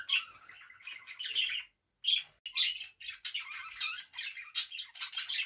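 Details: A pet budgerigar singing and dancing warbles in a fast, continuous chatter of scratchy high chirps and squawks, broken by two brief pauses, with a sharp whistled note near the end.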